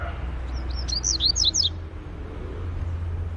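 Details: A Double-collared seedeater delivers one phrase of its Greek song type: a fast string of high, clipped, swooping whistles lasting over a second, against low background rumble.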